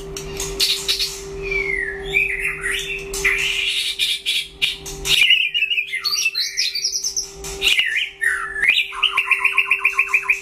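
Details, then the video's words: White-rumped shama singing in a duel; varied loud whistles and sweeping notes, ending in a fast rattling trill of rapid repeated notes, over a steady low electrical hum. "File Lửa đấu solo (shama bird)"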